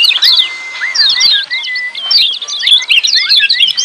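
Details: Noisy lemon-bellied white-eye chorus meant to coax silent caged birds into singing. Bursts of quick, high, twittering chirps come from several birds at once, cut by short, lower, upward-slurred whistles and one longer steady whistled note.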